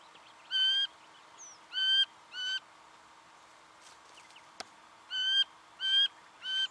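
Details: Singing honeyeater recorded in Victoria, Australia, in November 2011: loud, nasal, harmonic-rich notes, each about a third of a second, given in two groups of three with a short pause between, and a single sharp click midway.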